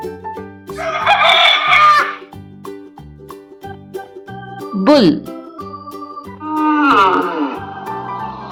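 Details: Rooster giving two raucous crows several seconds apart, with a spoken word between them and cheerful children's music throughout.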